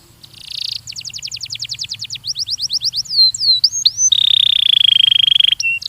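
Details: Song of a Belgian canary from a training recording: buzzy opening note, a fast trill, a few wide downslurred whistles, then a long steady buzzing roll and a short final note.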